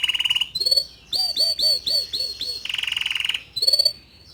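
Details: Young male canary singing to stir a juvenile canary into song; buzzy trilled rolls near the top alternate with rapid repeated downslurred notes and a lower rasping tour, delivered in short bursts.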